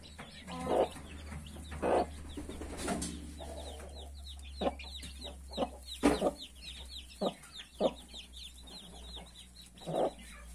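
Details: Mother hen among 31 newborn chicks, uttering scattered deep clucks and a low harmonic purr, while the chicks keep up a steady stream of thin, falling peeps; faint low hum beneath.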